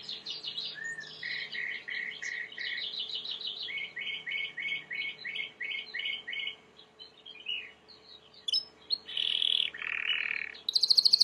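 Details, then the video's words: White Timbrado canary, song meant for training: repeated paired chirps in steady rhythm, varied twittering, then a loud burst of rolled trills; a low background hum throughout. "Chant de Canari timbrado / the wonderful sounds of canary bird chirping / canario timbrado cantando"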